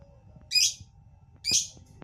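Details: Lovebird giving two loud, shrill, buzzy chirps about a second apart against a quiet background with faint low hum.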